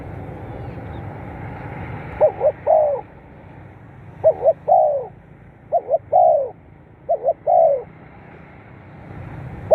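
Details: Spotted dove cooing, used to stimulate captive birds. Four evenly spaced phrases of two quick short notes and a drawn-out falling coo, over a soft low rumble.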